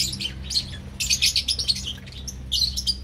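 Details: Young lovebirds in a flock, calling playfully: bursts of sharp, high chirps and squeaky notes in dense clusters, with a quieter gap before a final flurry. A steady low hum runs underneath.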